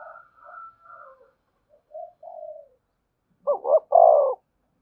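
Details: Spotted dove cooing to lure wild doves into answering and coming to the perch; soft, faint coos first, then a loud phrase of two short rising-falling notes and a long, full, falling coo.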